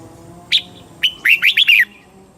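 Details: Caged red-whiskered bulbul from Thailand singing a southern master-style phrase meant to excite birds and teach young birds; one clear note, a pause, then a rapid four-note warbled phrase that rises and falls.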